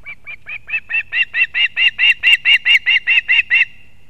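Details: Osprey female delivering fish to her chick at a nest in Kurzeme, Latvia, on 31 August 2024, live nest camera. A rapid run of about sixteen short whistled chirps that swell in loudness, then stop abruptly.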